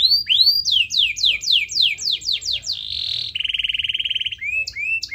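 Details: Lure song of a canary, used to prompt quiet canaries to sing: a run of high falling whistled sweeps, a brief buzzy burst, then a fast rattling trill of lower pulses and a few short rising notes.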